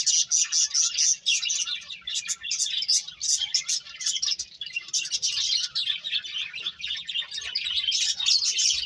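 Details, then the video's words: Several birds chirping in a dense, continuous chatter of high, rapid tweets that overlap without pause for nearly nine seconds. "Cute Birds Chirping Sounds"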